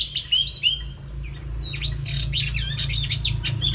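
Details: Female oriental magpie-robin whistling to stir up males, used for voice training: high, varied whistled phrases with rising and falling slurs and short chirps, a steady low hum beneath.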